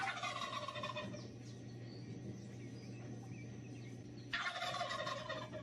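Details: Turkey gobbling: two bursts of rapid, rippling, warbling gobble, one at the start and one near the end, separated by a quieter stretch with a steady low hum underneath.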